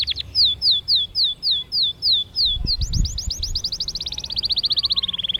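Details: Canary song recorded in Mesaria village on Santorini: a row of sweeping whistled notes repeated steadily, breaking into a rapid trill that slides gradually lower, with a brief low thump midway.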